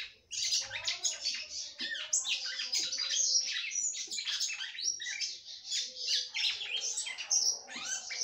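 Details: Captive female red-cowled cardinal singing a great deal to stimulate her male: a dense, continuous stream of sharp chirps and twittering notes, high-pitched and overlapping, with brief louder bursts throughout and no pauses.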